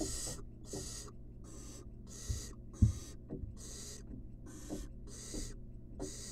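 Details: Rat-feeding time for a wild barn owl chick in a research nest box. It makes continuous begging: about ten hoarse, snoring hisses with short pauses, over occasional knocks.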